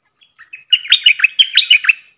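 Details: Streaked bulbul, probably a male, wild bird, possibly with its family: a quick burst of about eight bright, slurred chirps, rising and falling, packed into just over one second after a few soft lead-in notes.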